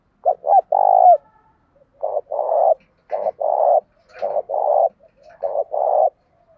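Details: Decoy spotted dove with a practised, pleasing cooing song that quickly excites other doves to call. Steady series of deep coos in short-long pairs, five phrases across the stretch, clean and without background noise.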